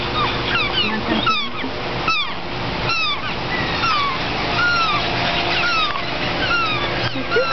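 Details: In the Discovery Cove aviary on 5 August 2009, several cuckoos give thin, whiny, downslurred whistles, overlapping at a quick, uneven pace, over a steady background hum and distant voices.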